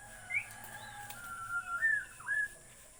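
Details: Bornean white-rumped shama giving soft, separate whistled notes, short upslurs and longer level tones spaced across a few seconds, against constant low hiss.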